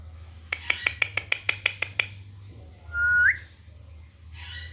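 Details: Rapid series of about ten crisp clicks, then a single strong Alexandrine parakeet whistle that holds steady before sweeping upward, followed by a brief hiss, all over a low indoor hum.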